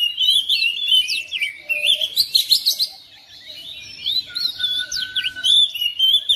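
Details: Caged oriental magpie-robin answering another bird with a lively song of rapid, high whistles, twittering trills and sharp sliding notes, dipping quieter in the middle before resuming strongly.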